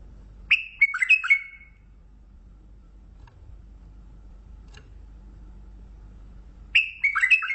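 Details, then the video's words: Mandali bulbul repeating its bubbly whistled phrase twice, roughly six seconds apart, notes sliding down in pitch, over an otherwise quiet background. "بلبل مندلاوي لسنات تغريد روعه"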